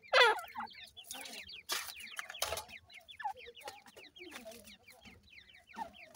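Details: Grey francolin chicks calling their mother: many thin high descending peeps repeated rapidly and overlapping, with some louder rustling bursts.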